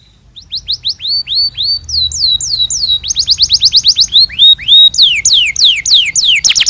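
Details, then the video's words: Canary's long gacor song, recorded to help young canaries learn: changing tours of upswept whistles, rapid chip trills and loud descending slurs, each repeated several times before the next. "PANCINGAN Kenari GACOR PANJANG Cuit CUIT EMOSI"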